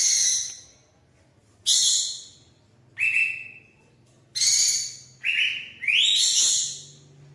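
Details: Sooty-headed bulbul, local type, giving short bright whistles and rising slurred notes. About six bursts come at irregular intervals over a low steady hum.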